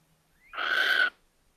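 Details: Little Owl at a nest in a house attic in Tiszalök, Hungary, on 24 April 2024 as the first egg hatched, gives one harsh, hissing half-second screech after a faint rising whine.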